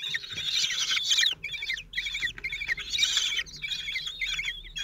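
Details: Male common kestrel feeding his four 16-day-old chicks in a nest at Théding, France, 26 June 2023; high, harsh chattering trills in several bursts with short pauses, faint low hum in the background.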